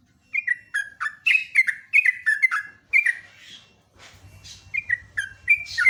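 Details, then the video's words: Sooty-headed bulbul singing in the morning: quick series of clear, slurred whistled notes falling in pitch, repeated in bursts, briefly broken by a soft low rumble before the whistling resumes. "LIVE PAGI KICAUAN TRUCUK PALING MERDU"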